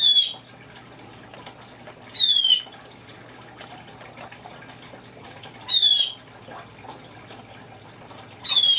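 A Congo African grey parrot gives four short, clear, slightly falling whistled chirps, spaced two to three seconds apart, in imitation of a blue jay; a faint hum sits underneath.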